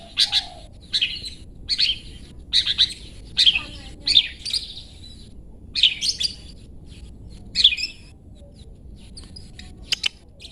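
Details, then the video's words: Long-tailed shrike singing in 'toet toet' style as training material for pet songbirds: loud bursts of scratchy high notes repeated roughly once a second, then fading to scattered faint chips, over a low hum. "Cendet toet toet Cocok Untuk Masteran Cendet macet"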